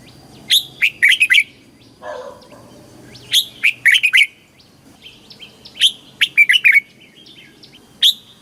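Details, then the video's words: Thai red-whiskered bulbul delivering a southern master-style song to excite caged birds and teach chicks: repeated phrases of a sharp high note plus rapid whistled trills, with a brief low rustle between the first two phrases. "เสียงนกกรงหัวจุก สำหรับต่อ หรือ เปิดให้นกคึก"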